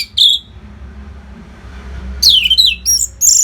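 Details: Orange-headed thrush song used to train fighter birds: one bright slurred whistle, a pause, then a fast run of swooping, descending whistled notes.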